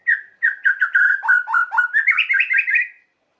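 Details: White-rumped shama singing to provoke emotion in other shamas: a fast string of rich, warbling whistled notes that dip in the middle and climb higher toward the end, lasting about three seconds.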